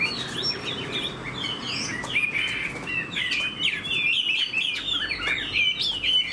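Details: Rich, continuous warbling from a kept fan-tailed Chinese hwamei known for eagle-wing display and fighting: dense tumbling whistles, quick trills and shifting slurred notes follow one another nonstop, with faint rustling in the background.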